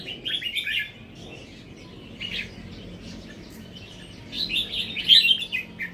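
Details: Natural-style red-whiskered bulbul song, now beginning to include doubled phrases. Quick high chirping warbles arrive in three bursts: at the start, midway and a louder one near the end, over low steady background noise.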